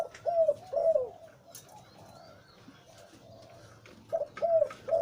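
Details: A deep-voiced breeding zebra dove male gives short bursts of low purring coos, then a quiet stretch before another run of quick rolling notes.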